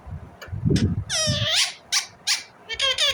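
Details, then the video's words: Indian ringneck parrot uttering a long, harsh, arching screech followed by short sharp squawks and a rasping burst, with some low noise early on. "Indian Ringneck parrot Natural sound, parrot chirping sound"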